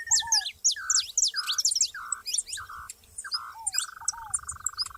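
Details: ['Saffron finches in the wild chirp rapidly in high bright notes while a short buzzy note repeats about once a second, ending in a longer buzzy trill and a lower curved whistle.']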